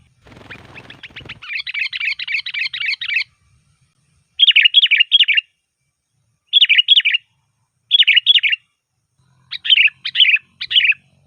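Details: Sooty-headed bulbul singing a loud, varied song meant as a lure: a rising chattering run after a brief rustle, then four short bubbly phrases spaced roughly two seconds apart.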